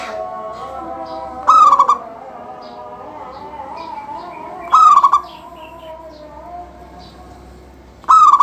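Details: Zebra dove, a local bird in full song used to get other doves singing, repeating its phrase three times about every three seconds: a long clear note then a stuttering run of pulses.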